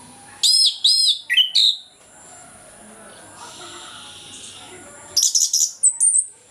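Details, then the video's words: Morning song of an orange-headed thrush in full, open voice, meant to prompt lazy thrushes to sing: a run of loud, high, ringing whistled notes, then a quiet gap and another burst of quick bright phrases. "ANIS KEMBANG NGEPLONG PAGI, PANCINGAN AK MALAS BUNYI AGAR GACOR"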